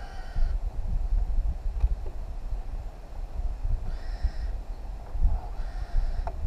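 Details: A wild, free-flying New Caledonian crow from a family group of three, using tools around a log to get food, gives three nasal, harmonic calls, each about half a second, spaced a second or two apart, over steady low rumbling wind.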